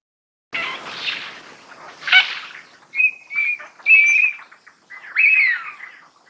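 Eurasian teal giving clear, high, piping whistles, several short notes about a second apart, after a few rough raspy notes at the start.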